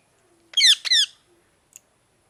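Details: Two loud harsh squawks from a parrot, back to back and each about a third of a second long, followed by a tiny faint chirp.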